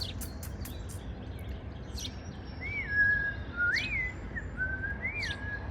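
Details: Morning song of a bird building its spring nest: after faint ticking, three whistled notes rise and then fall in pitch, spaced about a second apart, over a constant low rumble of outdoor noise.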